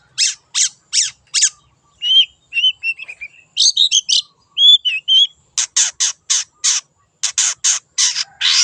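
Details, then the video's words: Long-tailed shrike, a wild bird, in a lure recording: harsh rasping notes in quick series, a middle passage of varied whistled and twittering phrases, then more loud grating notes in rapid runs. "PANCINGAN CENDET GACOR SUARA BURUNG LIARAN"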